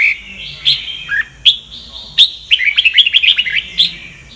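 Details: Sông Kon-style song of a red-whiskered bulbul, used for voice training: scattered sharp whistled chirps with pauses between, then a fast string of rippling notes and one more clear chirp near the end.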